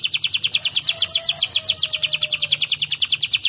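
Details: Canary gacor song: a bright, fast, regular trill of high chirping notes repeated about six times a second throughout, with a faint lower whistle drawn out in the middle.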